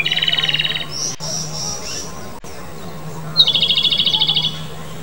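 Japanese robin giving two high, rapid rattling trills about three seconds apart, the second opening with a sharp higher note; a steady low hum underneath.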